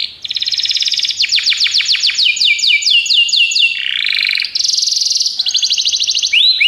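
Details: Belgian canary song for training canaries: a long run of fast descending sweeps, a low rolling trill, then a high buzzy roll and a final rising note, sung continuously.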